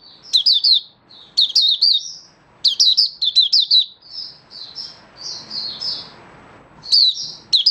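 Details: Caged Malaysian Oriental white-eye in full song, rapid clusters of sharp, high, slurred notes alternating with softer, flatter warbled phrases, pausing briefly between runs.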